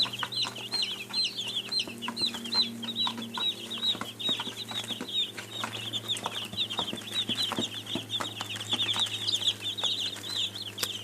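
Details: A crowd of baby chicks keeps up nonstop shrill peeping, quick downward chirps packed closely together, over a constant low hum and scattered tapping noises.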